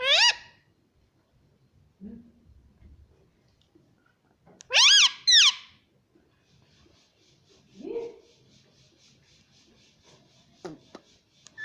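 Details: Talking rose-ringed parakeet at home, mimicking "mummy": a short squawky syllable, then a louder downward-bending two-part call near the middle, scattered soft low murmurs, and a final brief sharp note.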